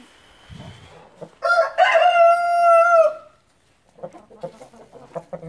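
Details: Gold Brahma rooster crowing: a loud, sustained harmonic crow lasting nearly two seconds, followed by scattered low clucks from the flock.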